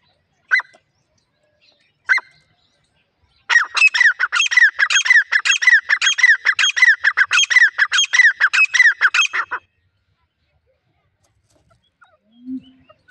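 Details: Female grey francolin, used as a lure to trap wild francolins, gives two loud single notes, then a fast, steady run of harsh, repeated two-part calls for about six seconds before falling silent.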